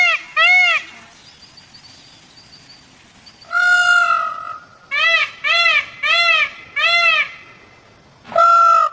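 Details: A black peacock (Indian peafowl) gives loud, nasal, trumpeting wails: two quick cries, one long drawn-out note, then four short cries about half a second apart, with a faint thin whistle behind.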